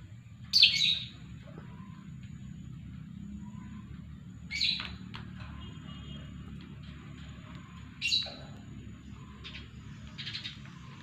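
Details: Lovebird left alone and let loose after its female was separated, calling out of eagerness to mate: three sharp, shrill chirped bursts roughly every four seconds, with a steady low hum underneath.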